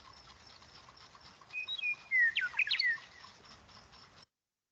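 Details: Western Meadowlark song played back, described as crazier and longer than the Eastern Meadowlark's, the easiest way to tell them apart: a quiet lead-in note, then a rapid jumble of loud, tumbling, slurred whistles lasting about a second and a half.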